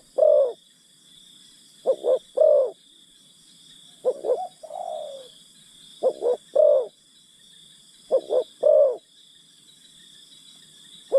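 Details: Spotted dove used as a decoy to lure wild birds, calling in phrases of two quick low coos and a longer rolling coo, sometimes followed by a drawn-out falling coo, repeated about every two seconds over a steady high insect-like hum.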